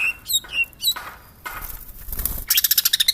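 A greater green leafbird gives sharp, high whistles and squeaky notes, then ends in a fast, evenly spaced run of bright chips.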